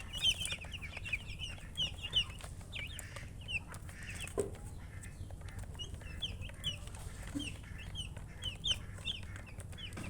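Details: Baby chicks peep steadily, their high, brief, falling notes overlapping in loose bursts, with occasional louder single peeps, a dull thump midway and low hum beneath.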